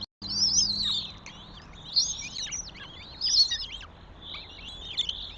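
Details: Northern goshawk at a nest in Tartu, Estonia, on 27 May 2025, giving thin, high, wavering squealed whistles about one every second or two, each bending up and down, over a low background hum.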